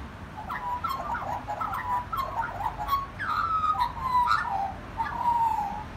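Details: Magpie singing at a family home: a rambling warble of whistled and slurred notes, some rising and some falling, delivered in quick varied phrases with short pauses and no other clear sounds.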